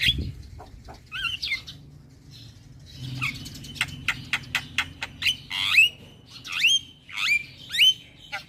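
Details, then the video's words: Young male black-winged myna, singing energetically, used for song tutoring and calming stressed mynas: a varied run of sharp whistled notes, quick clicks and rising-then-falling slurred whistles, starting sparse and growing denser, with low hum underneath. "Jalak Kebo Jantan Muda Gacor PAs Buat Masteran dan terapi Burung Jalak Stres"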